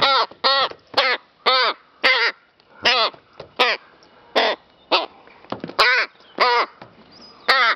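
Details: Rapid run of about a dozen hoarse, grating caws from a playing rook handling a feather and flower, spaced unevenly with brief gaps between each rasping note.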